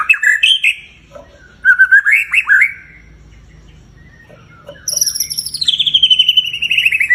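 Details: White-rumped shama song played as a lure so a pet bird joins in and gets worked up: a few rich whistled phrases, a quiet gap, then a long run of high, thin, rapidly repeated notes.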